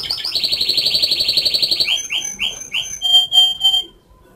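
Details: Whistling canary runs a quick rolling trill, then a few rising slurred notes and three clear ringing whistles before falling silent.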